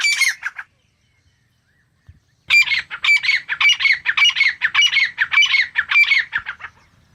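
A grey francolin calls in a loud, harsh, ringing series of squeaky notes, repeated nearly twice a second after a brief opening burst and a pause.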